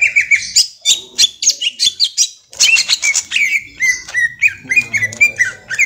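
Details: Young greater green leafbird with lively ngentrok song: rapid chattering, bursts of high scratchy notes, then a string of quick rising whistles.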